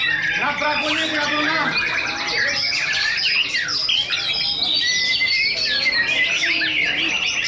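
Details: Singing-contest duel of two White-rumped shamas ranked first and second, pouring out loud rich whistles, slurred rising notes and fast trilled phrases that overlap without pause, with a short lower note series at the start.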